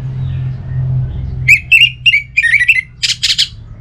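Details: Orange-headed thrush song meant to draw out a kept bird's singing: a low hum gives way to a fast run of repeated slurred whistled notes, ending in three harsh, buzzy bursts.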